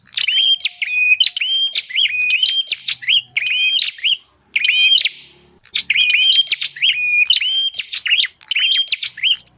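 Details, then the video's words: Lure call of the bar-winged prinia for attracting wild birds: a fast, continuous series of clicking notes with short whistled tones, running in two long bouts broken by a brief pause. "Suara pikat burung prenjak paling ampuh"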